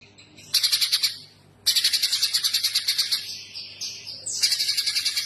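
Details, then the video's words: Streaked spiderhunter in lively, full song: bursts of rapid, sharp, high chattering notes about ten per second, a short pause near one and a half seconds, then a long run that trails into thinner whistles before a final burst. "Burung Pijantung GUNUNG GACOR"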